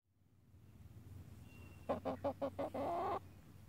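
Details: Chickens searching horse manure for fly larvae, worms and other bugs: a run of five short clucks followed by one longer drawn-out note, over low background rumble.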